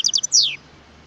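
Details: Wild European goldfinch uttering a few quick high chips followed by a drawn-out, buzzy note sliding downward.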